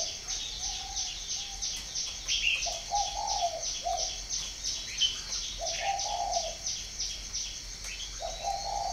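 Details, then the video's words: Spotted dove at a northern Vietnamese farm in Ba Vì, giving repeated low, mellow coo phrases of uneven length. Dense, rapid high chirping from other birds continues throughout. "chim cu gáy hay miền bắc"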